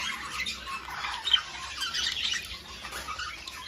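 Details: Budgerigars whose calls are meant to stimulate breeding give softer, steady chattering: rapid scratchy warbles and squeaks that run together without a break.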